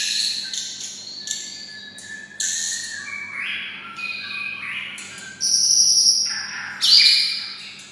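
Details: Kept white-rumped shama raised near red-whiskered bulbuls, singing in a bulbul-like voice: a series of clear whistled and warbled phrases, some rising, some steady and high, with louder bright notes near the end, over a faint low hum.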